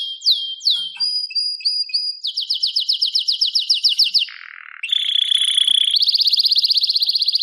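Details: Canary song for training: swooping whistles, a flat held note, a fast series of rising sweeps, a low buzzy trill, then bright rapid rolling trills at two pitches.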